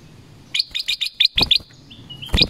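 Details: Black-crested bulbul in the forest: a quick run of eight sharp chirped notes near the top of its range, followed by a thin level whistle and a final bright note.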